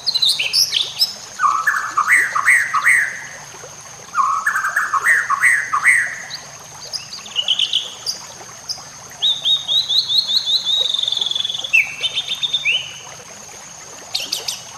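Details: White-rumped shama song used as training material for other shamas: varied phrases, including bursts of rapid repeated notes alternating with higher sweeping whistles, delivered in several separate runs of a few seconds each against a steady high background hiss.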